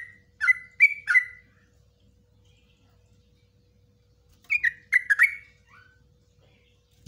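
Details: Trucukan (yellow-vented bulbul) singing the rapid 'ropelan' style for training caged birds: two short clusters of three or four gurgling, falling notes, separated by about three seconds of quiet.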